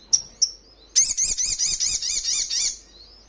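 Sogon giving two thin high whistles, then a quick run of about seven bright, warbling notes repeated several times a second; no other sounds stand out.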